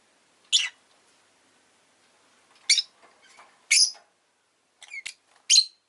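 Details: Captive rosy-faced lovebird chirping in loud, scratchy, high bursts at irregular intervals, with a faint twittering note between them and one thin, wavering, squeaky call near the end.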